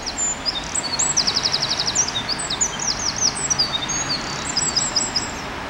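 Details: A Eurasian wren (Troglodytes troglodytes) sings in Alfred Capus park near Porte d'Auteuil, Paris: a loud, high, rapid outpouring of sharp notes and fast rattling trills over a steady low hum of city noise.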